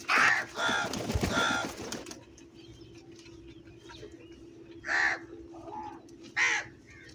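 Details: Crows in a large gathering: three rapid harsh caws mixed with a loud flutter of wingbeats at the start, then a quieter stretch and two more single caws, over a steady hum.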